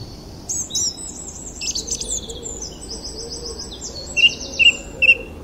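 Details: Bird chirping: bright high chirps and trilled buzzy runs early on, then three loud sharp chirps near the end, about a half second apart, over a low steady background hum.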